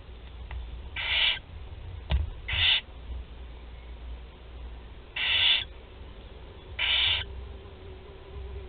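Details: Barn owl nestlings, four of them, at feeding time in Théding, 16 July 2020; four drawn-out rasping hisses, each about a third of a second, spaced irregularly with a quiet background and a faint knock.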